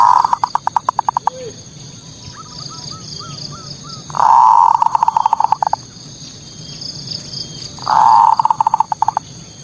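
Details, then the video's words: Zebra dove (perkutut) singing its manggung song, used as a lure to provoke local rivals: soft rolling trills repeated about every four seconds, each ending in stuttered coo pulses, with faint distant cooing and a steady high hum. "Suara pancingan PERKUTUT bikin lawan emosi"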